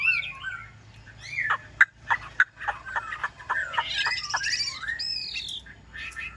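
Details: Caged yellow-billed Chinese hwamei, a tamed bird kept for song, delivers a varied song of slurred whistles and downward-sweeping notes in quick series, with steady low background hum.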